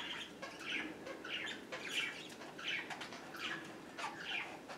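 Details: A female pet budgerigar, top of the pecking order, gives harsh, scratchy chirps in quick bursts in a loose rhythm while guarding a seed treat she roosts on.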